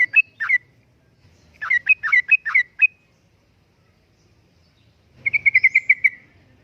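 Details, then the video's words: Lure and tutoring recording of a yellow-vented bulbul in energetic 'uplik-uplik' song: clipped, bubbly phrases of a few quick notes, a gap, then a fast even trill of about eight liquid notes falling slightly in pitch. "Kicauan Suara Burung Trucukan Gacor Uplik Uplik,Pancingan Trucukan Gacor,Masteran Trucukan"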